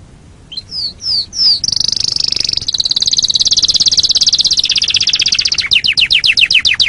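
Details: Canary singing on a master training recording: three swept notes, a long fast high trill, ending in a series of quick descending notes.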